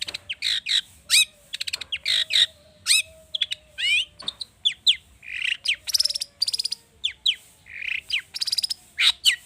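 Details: Long-tailed shrike in full, emotive song packed with varied borrowed phrases, played to spur other birds into song: rapid alternating whistles, chattering rattles, buzzy slurs and sharp chips delivered almost continuously.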